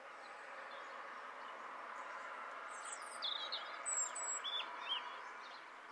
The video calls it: European Robin song - call. (male)